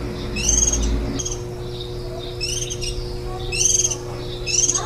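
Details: Warbling white-eye nestlings, 10 days old and a day before fledging, at a nest 4 m up on 23 July 2018, give five bursts of thin, high chirping notes at irregular intervals over a steady low electrical hum.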